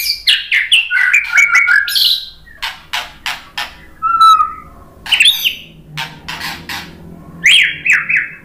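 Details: Varied white-rumped shama song for provoking fighting males: quick chattering and clicking notes mixed with short clear whistles and buzzy sweeps, delivered in choppy bursts with brief gaps between them.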